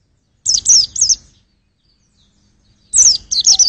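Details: Pleci white-eye singing, used to test vocals: a short phrase of shrill, squeaky, rapidly warbled notes, then about a second and a half of silence, then another similar high chattering burst.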